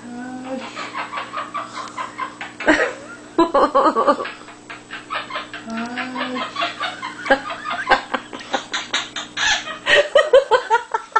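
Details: Sammy, a pet male monk (Quaker) parakeet, chatters in rapid, speech-like bursts, imitating laughter.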